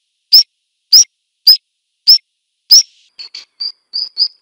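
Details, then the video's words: Black redstart giving five sharp, clicky high notes about half a second apart, each with a brief whistled tail, followed by a run of softer, shorter whistled pips at a similar pitch. "Black redstart song and calls"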